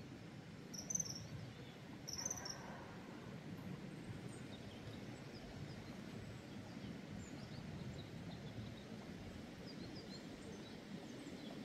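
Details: A common kingfisher (Alcedo atthis) gives two brief, shrill, high whistles about a second apart, over a steady low rumble of wind and background noise, at ponds in the Drava valley on 27 October 2024.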